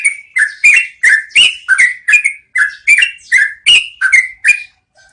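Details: Rolling song of a yellow-vented bulbul, recorded as training material for caged songbirds; rapid run of sweet, slurred notes with crisp attacks, about a dozen in close sequence, ending abruptly before brief quiet.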